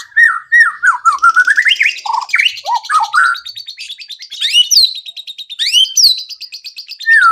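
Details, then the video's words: Varied white-rumped shama song used to make other birds sing quickly and show off their repertoire: rolling, warbling whistles sliding up and down, then high upswept notes over a steady background chatter. "PANCINGAN MURAI BATU AGAR CEPAT BUNYI BONGKAR ISIAN"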